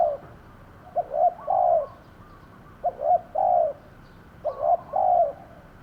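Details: Decoy spotted dove cooing beside a trap pen, three low phrases roughly every one and a half seconds, each two quick notes rolling into a longer soft coo.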